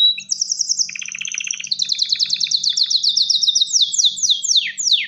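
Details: Male canary singing to draw a female and encourage mating: continuous rapid high trills overlaid with a lower chattering rattle, ending in a series of sharp descending sweeps.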